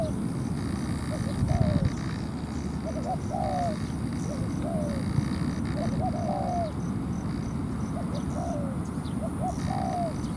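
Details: Spotted dove acting as a ground decoy to bait a wild bird into a territorial fight; soft downslurred coos in small clusters, repeated regularly across the recording, with steady low rumble throughout.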